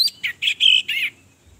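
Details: Orange-headed thrush female, sung as a lure to provoke males to sing, gives four short, slightly buzzy whistled notes in quick succession, then falls silent.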